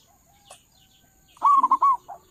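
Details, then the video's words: Local zebra dove with a loud voice, kept as a lure for trapping doves, giving a single short burst of rolling, bubbling coo notes after a near-silent start. "perkutut lokal suara besar cocok buat para pemikat burung perkutut"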